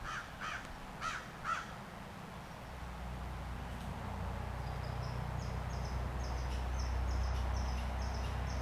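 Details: In June, in a forest next to a house, a crow gives four quick, harsh caws in about a second and a half, then falls silent; steady low rumbling noise follows, with faint thin high whistles.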